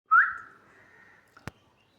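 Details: Pet sun conure giving one clear whistle that rises quickly, then holds level and slowly fades, followed by a single sharp click.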